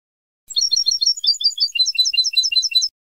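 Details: Moroccan old-style Ceuta (Sanfonia) goldfinch song recorded to teach captive goldfinches: quick bright chirps and liquid twitters in a fast, slightly uneven string lasting over two seconds, on a silent background.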